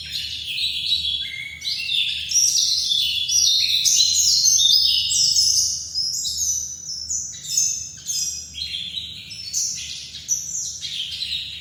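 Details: Long, lively twittering song of a Bali white-eye known as dakun: rapid high chirps in cascading phrases, swelling and dipping in loudness, with occasional short breaks between bursts.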